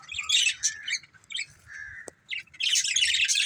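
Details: Breeding pair of budgerigars: bursts of rough, high chattering, a sustained whistled note in the middle, a single sharp click, then a loud dense stretch of scratchy chirps.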